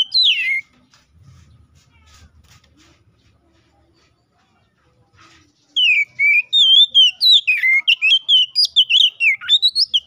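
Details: Oriental magpie-robin singing 'gacor ngeplong', calling a rival and used as a lure to spur another magpie-robin into song: one downslurred whistle, several seconds of faint low noise, then a dense burst of fast varied whistles and trills.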